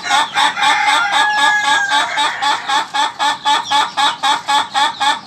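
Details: Ayam ketawa (laughing chicken) rooster crowing: a long, even run of about twenty rapid, nasal, chuckling syllables, close to four per second, like steady laughter with no break.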